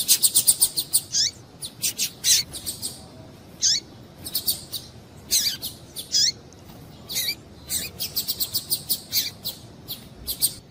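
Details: Female Double-collared seedeater calling to stimulate males: a steady run of short, high, sharp chirps and piping notes, some in quick clusters, others spaced about half a second apart, over a quiet background.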